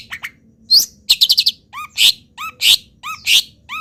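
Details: Molting local long-tailed shrike reeling off wild bird imitations: a rapid trill of five bright notes, then alternating harsh bursts and short upward-curving chirps in quick succession.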